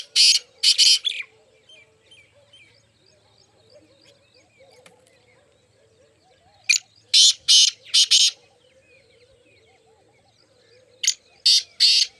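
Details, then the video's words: Bursts of three or four loud, coarse partridge notes come every few seconds, with long gaps filled by gentle twittering of other birds. "muskie teetar ki awaaz ki video"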